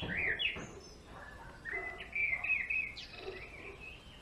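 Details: Male European greenfinch in a bird garden sings fast chirps and twitters, with a long, level, slightly wavering trilled note in the middle, over a faint background hiss.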